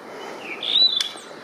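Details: Brief blue rock thrush song phrase. A short, rising whistled note swells and then slides level, cut by a sharp click, with faint hiss behind it.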